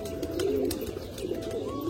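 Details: Many domestic pigeons kept at a house, some coming down and going up, coo in low, soft, throaty rolls that rise and fall in overlapping waves.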